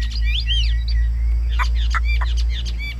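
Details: Caged Chinese hwamei singing well: loud looping whistled phrases and arched slurs, then sharp descending notes in quick succession, over a steady low electrical hum.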